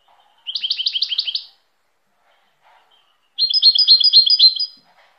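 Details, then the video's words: High twittering song of a European goldfinch: two runs of rapid repeated notes, each about a second long, separated by a quiet gap of roughly two seconds. "تغريد طائر الحسون chant de chardonneret"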